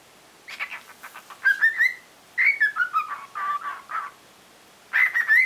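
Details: A cockatiel spreads its wings while practising its song, a clear whistled phrase of sliding, rising and falling notes in short bursts with brief pauses, over a quiet background.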